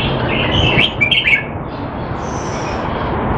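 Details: Caged red-whiskered bulbul kept in Singapore, in song training on 25 December 2020 and said to be out of form; a short burst of bright, warbled chirping notes, then fading, over steady traffic-like rumble.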